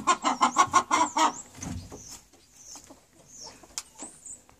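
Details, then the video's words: Chicken uttering a quick series of six strong, clipped clucks in just over a second, followed by quieter scattered clicks and faint high squeaks. "Chickens chickens chickens"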